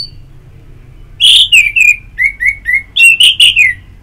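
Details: Orange-headed thrush in ngeplong therapy audio: loud, clear whistled phrase of about ten slurred notes, each sliding downward, delivered in a steady, rhythmic sequence with a brief buzzy start.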